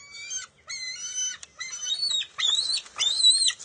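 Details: Nest-bound bald eaglet tussling with its mother for a fish, NCTC nest, June 23, 2021: two long, strained, harmonic squeals, then upswept, wavering whistled screams climbing sharply in pitch.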